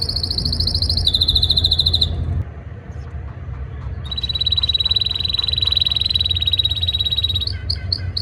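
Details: Canary song in breeding season to impress a female: a high rolling trill that drops slightly in pitch, a gap of quiet, then a long sustained buzzy trill ending in a few quick notes.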